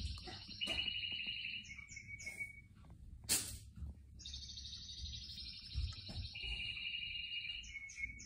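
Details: Canaries singing among houseplants: long, high, rolling trills held for several seconds each, shifting between pitch levels, broken by one sharp click midway, over a soft low background rumble.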